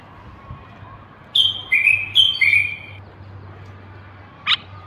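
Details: Moroccan common bulbul from North Africa, a bird of gardens: a few clear, sweet whistled phrases at slightly different pitches over about two seconds, then a short sharp note, over a low background hum.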